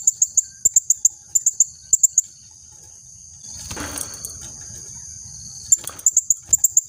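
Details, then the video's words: Female blue-crowned hanging parrot used to attract males and tutor other birds: short bursts of piercing high ticks, then a rustling, noisy pause, then the rapid high ticking returns near the end. "BURUNG SERINDIT BETINA GACOR COCOK UNTUK MASTERAN DAN PIKAT JANTAN"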